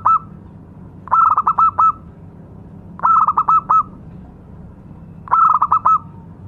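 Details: Local zebra dove lure song: three phrases of rapid, staccato, bubbling coos at a steady mid pitch, each about a second long and repeated roughly every two seconds, over a faint low background hum.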